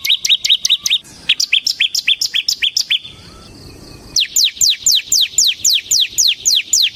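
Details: Bar-winged prinia, a semi-crystal singing type kept as a lure and tutor for cage birds: rapid series of sharp notes sweeping down from high to mid pitch, repeated several per second, with a short quiet break midway.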